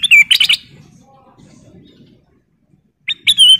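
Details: Sooty-headed bulbul song: an opening cluster of bubbly slurred whistles, a long quiet stretch, then another bright, rising-and-falling whistled phrase.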